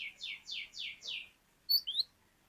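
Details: Cinereous tit (glatik batu) giving five loud descending whistled notes at an even pace of about four per second, followed by two sharp, higher chirps after a short pause.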